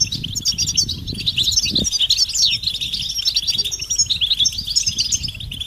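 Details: European goldfinch flock producing mating and readiness calls intended to make males sing; busy high-pitched twitters and short liquid trills overlap throughout, with a brief low thump near two seconds.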